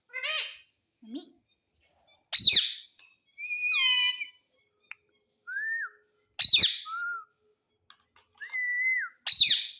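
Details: Indian ringneck parakeet kept as a pet indoors: short harsh squawks with rich harmonics alternate with clear whistled notes, a few rising and flat, spaced irregularly with silences between.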